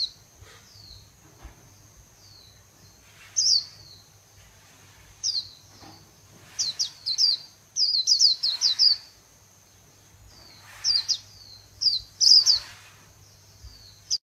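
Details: Japanese white-eye, kept by Vietnamese bird keepers, delivering khuyên líu song: repeated bursts of high, rapid, falling twittered whistles in clusters of two to five notes, separated by short pauses, over a faint steady low hum.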